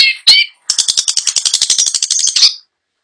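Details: Long-tailed shrike singing: a couple of harsh notes, then a steady rapid rattle of about two seconds, evenly pulsed and high-pitched.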